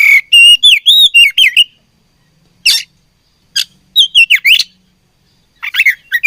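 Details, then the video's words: A fighting oriental magpie-robin opens with a rapid run of looping, rising and falling whistles, pauses, then gives scattered harsh notes and more twisting whistled phrases. "Beautiful Chirping Sound Of Fighting Birds"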